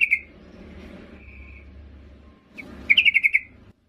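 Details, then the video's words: Yellow-vented bulbul female calling a male as a lure: a brief note at the start, a faint held whistle, then a closing run of about six quick bubbly notes. "Trucuk BETINA MEMANGGIL JANTAN"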